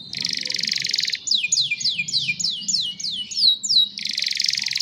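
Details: Young canary singing: a harsh buzzy rattle, then about nine quick, sharply falling whistled slurs three per second, and the buzzing rattle again.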